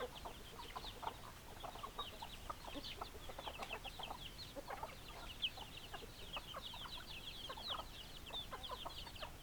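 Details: Several chickens calling together: soft, scattered low clucks and a continuous chatter of thin, high, falling peeps, fairly quiet and even in loudness.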